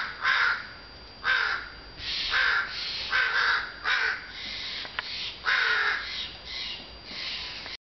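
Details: Several crows cawing together on a June afternoon in sunny weather, apparently calling for attention; harsh, broad rasping caws in irregular bursts, roughly one to two per second, overlapping into a loose chorus.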